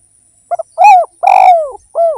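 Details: Full spotted dove phrase used as a lure: a pair of short pips, an arched coo, a long falling coo, then a closing rounded coo, clear and close with no other sounds.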